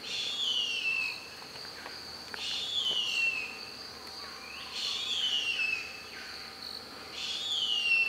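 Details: Female harpy eagle at the nest in Carajás National Forest in the Amazon, calling for her mate: three drawn-out, high whistles that each fall in pitch, about every two and a half seconds, above a constant insect buzz.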